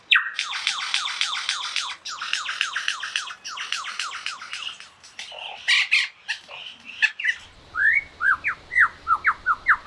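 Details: Near Mount Sugarloaf in the West Wallsend district, a superb lyrebird mimics while trilling its own mating call and those of the whipbird, a chainsaw and a kookaburra. It gives about seven seconds of fast, harsh chattering, then quick whistles slurring up and down.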